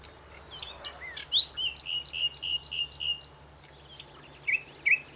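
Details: Common Nightingale, described as omnipresent on the plateaus between Aragon and Extremadura, Spain, singing: varied clear whistles, then a run of six or seven repeated even notes, a pause, and a few sharp rising phrases over a quiet rural background.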